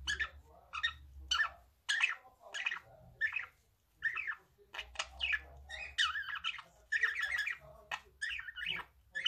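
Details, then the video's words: Male budgerigar singing: a steady string of short, scratchy chirps and warbled notes in separate bursts, growing busier and more tangled toward the end, with a faint low hum underneath. "Canto de Periquito australiano macho"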